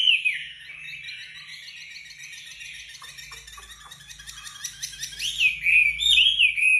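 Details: Gacor wambi in 'tembakan rapat' master song for songbird training: an opening whistled swoop, then a quieter dense chatter of ticking notes, building to loud, repeated whistled rises and falls at the end.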